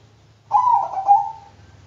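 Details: A single Bangkok-type zebra dove phrase: a burst of quavering coos sliding into a long, slowly fading even coo, with a faint low hum beneath.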